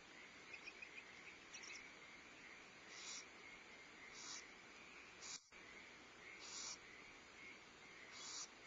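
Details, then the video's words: Nest of barn owls, Starr Ranch, 14 February 2011, owlets being fed and prey brought by the male; a series of short harsh hisses repeated every second or so, with faint clicks and a brief dropout mid-clip. "Barn Owls: 2011-02-14: Feeding owlets, prey delivery, bonding, loud noise"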